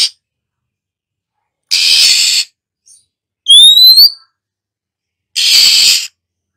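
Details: Female Oriental magpie-robin, a kept songbird, giving hissing, shrill calls and song to stimulate other birds to sing. Two harsh, raspy, hissing bursts of under a second each frame a single bright, rising whistled note. Quiet background.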